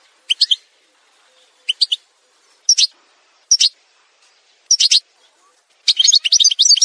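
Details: Algerian goldfinch singing in an edited song montage: a string of crisp, high double and triple chirps spaced roughly a second apart, leading into a fast, jangling twitter at the end.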